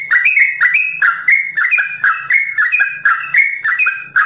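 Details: Sooty-headed bulbul kept as a songbird, singing long 'ropel' phrases: full, slightly lower whistles slurring downward in bursts about twice a second, with crisp clicks and a faint hum.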